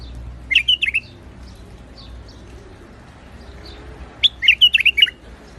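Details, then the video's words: White-eared bulbul singing in rooftop gardens. Two similar bubbly phrases of rapid, jumping whistled notes are separated by about three seconds of near quiet. "تغريد بلبل عراقي/ حدائق الاسطح / White eared bulbul / البلبل ابيض الخدين"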